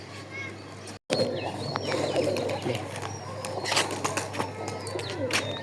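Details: Pigeons coo in a low, continuous, throbbing murmur, with a brief dropout near the start. Thin whistled chirps rise and fall high above, and scattered clicks and knocks come through.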